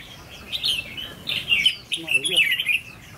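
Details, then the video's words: Red-whiskered bulbul, a decoy bird in training being tested, pours out a run of lively, slurred whistled phrases, and a short human voice cuts in partway. "Thử Thái Độ Chào Mào Mồi Tập Sự 2 ''MÍ LỬA''"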